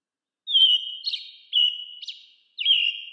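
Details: Calling American robin gives three steady whistled notes about a second apart, each ending in a brief rough flutter, with nothing else audible.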